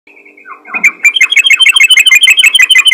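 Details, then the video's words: Yellow-vented bulbul in full voice, calling to other bulbuls: a steady whistled note, then a fast run of bright chattering notes, loud and repeated about eight times a second. "PANGGILAN BURUNG TRUCUKAN GACOR MEMANGGIL TRUCUK LAIN"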